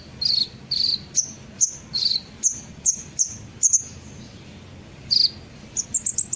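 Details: Kolibri ninja sunbird lure to set birds calling: a series of short, thin, very high notes spaced roughly every half second, some slightly lower and buzzy, closing with a quick high flurry.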